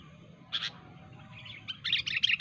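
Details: Sooty-headed bulbul singing in the wild to challenge rivals: a doubled sharp note, a pause, then a lively burst of bubbly, warbled phrases with bright whistled touches.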